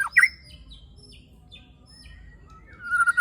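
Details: White-rumped shama in rough-fill song, used to provoke other shamas: a sharp squeaky note, faint thin whistles through a quiet stretch, and a wavering whistled phrase at the end.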